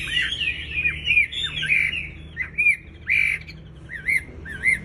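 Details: Sooty-headed bulbul in breeding condition giving a few slurred, warbling whistles, then short separated notes and wavy up-down whistles roughly every half second.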